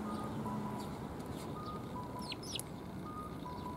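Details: Sparrows coming to be fed at a Tenmangu shrine on 14 February 2021; short, sharp, high chirps, several in a quick cluster near the end, over a steady low traffic rumble and hum.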